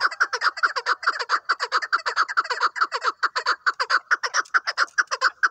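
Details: Hunting chukar partridge uttering a continuous, regular chatter of raspy chuk notes, paired and repeated about twice a second throughout.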